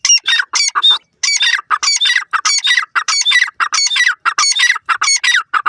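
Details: An excited male teetar francolin, stirred up by a female, pours out a rapid, harsh, chattering stream of harmonic notes in dense bursts with scarcely any gaps.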